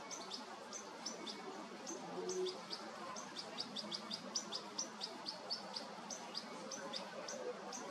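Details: Young goldfinch begging while its mother feeds it, late August 2022: a quick series of sharp, high-pitched chirps, some in close pairs, rising and falling in loudness over a constant low background rumble.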